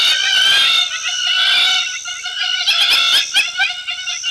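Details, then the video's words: A very noisy Hamerkop at a hide at Lentorre Lodge, Olkirimatian Conservancy, South Rift Valley, Kenya, gives continuous loud, shrill, ringing chatter of harmonic notes with stuttered bursts toward the end, in the background while a Dwarf Bittern is present. "very noisy Hamerkop in the background"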